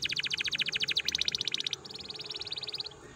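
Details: Canary song used to stimulate other canaries: a very fast, even trill of repeated high pulses, changing to a slightly softer, quicker trill partway through.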